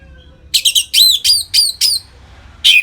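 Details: Short ngeplong phrase from an Orange-headed thrush, used as a lure for captive birds: a few harsh chirps, then a run of clear downward-arching whistled notes about every quarter second, ending in one buzzy note.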